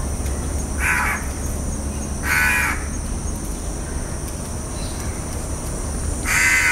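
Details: House crow (Corvus splendens) giving three harsh, nasal caws, the first two about a second and a half apart and the last after a longer pause, over a steady low rumble and a constant thin high-pitched hiss.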